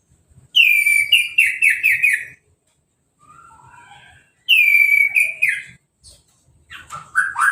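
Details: Freshly moulted orange-headed thrush in a cage, sprayed with a hose and singing uncovered. Two loud bursts of rich, rapidly repeated slurred notes, a soft warbled phrase between them, and a faint low hum.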